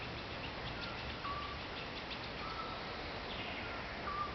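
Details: Eurasian scops owl in Croatia: single soft whistled notes, about three within a few seconds, one slightly higher than the others. Steady hiss behind.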